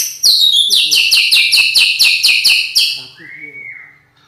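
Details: White-rumped shama singing a loud, rough-voiced song: a fast run of about nine harsh, evenly repeated high notes, then a single short rising whistle, with faint lower notes beneath.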